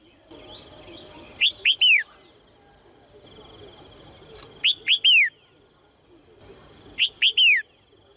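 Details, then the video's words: Female Red-whiskered bulbul giving calls meant to spur males into song. Three loud phrases, each two quick rising notes and a drawn-out falling whistle. Soft pulsed chirping continues underneath. "นกหัวจุก birds - เสียงนกตัวเมียส่งเสียงเจื้อยแจ้วจูงใจนกตัวผู้ให้ร้องเพลงอย่างมีความสุข"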